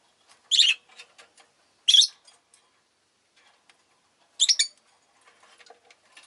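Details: Captive rosy-faced lovebirds, chattering a lot that day, make sharp, harsh single chirps and a doubled one spaced a few seconds apart, with faint ticking chatter in between.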